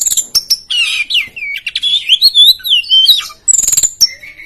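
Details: Competition-style Oriental magpie-robin (poci type) in full song meant to rile rival birds: sliding, swooping whistles and quick twittered runs, with a rapid rattling burst of high notes near the end.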